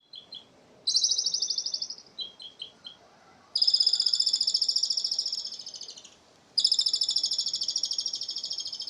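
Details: Asian pied starling singing in a way likened to a person laughing; short high stuttered notes, then long trains of rapid high chattering pulses, each lasting about two and a half seconds and slowly fading.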